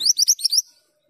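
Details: Male Mantenan gunung singing actively: one quick high phrase of about five sharp upslurred chirps, crisp and bright, fading out after under a second against a silent background.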